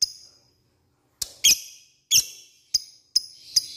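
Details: Lovebird lure call aimed at rivals: a few sharp, piercing high squeaks and chirps at uneven intervals, some with a brief ringing tail.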